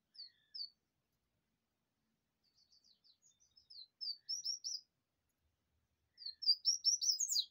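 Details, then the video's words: A double-collared seedeater, out in the sun, sings a rachinha-style song: bursts of high, quick chirps, first sparse and then in fast, dense runs, with nothing else heard. "Rachinha de Coleiro"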